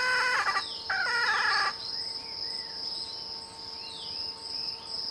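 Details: Red junglefowl, with a decoy used to lure wild birds in, gives a crow in two loud harmonic bursts within the first two seconds, followed by a continuous high cricket chorus and faint descending whistles.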